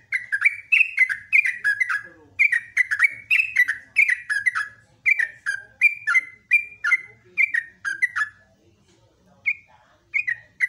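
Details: Morning song of a yellow-vented bulbul, a gacor trucukan kept for training other songbirds: rapid runs of chattering, liquid whistles, each note sliding downward, repeated almost without pause, then a short break and a few scattered notes.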